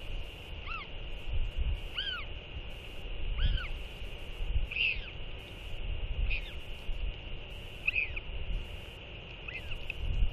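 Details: Northern royal albatross pair exchanging skycalls after a chick feeding, on the morning the chicks were weighed. Seven arching, rising-then-falling harmonic calls come roughly every one to two seconds over low gusting wind.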